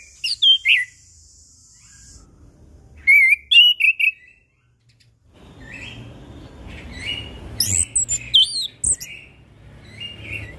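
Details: Chestnut-capped thrush song used as a lure to set off silent birds, morning, noon and evening: short bright whistled and warbled phrases in separated bursts, with a low rumbling background hum in the second half.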